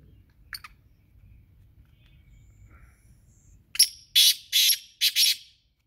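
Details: Black francolin giving a harsh, grating call of four loud rasping syllables in quick succession after a single earlier short note, over a faint low hum.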